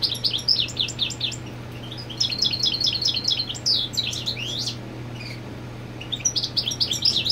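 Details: European goldfinch singing to mark territory while the female sits on the nest: rapid twittering bursts of high, tinkling chirps and trills, broken by short pauses, over a steady low hum.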